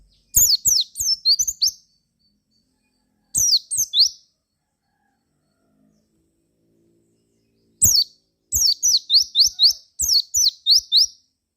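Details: Javan white-eye song meant to prompt other white-eyes to answer: rapid bursts of high, thin, sweeping chirps, each burst of several quick notes, with long silent gaps between bursts.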